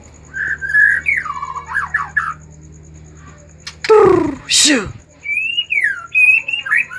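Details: Excited white-rumped shama singing to spur reluctant shamas: slurred whistled phrases that rise and fall, broken by two loud harsh bursts, then more looping whistles over a low steady hum.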